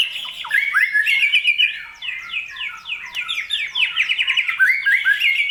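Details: White-rumped shama (murai batu) in full energetic song, used to provoke emotion in other birds: a fast, unbroken stream of varied sweeping whistles, trills and sharp rising-falling notes, loud and continuous throughout.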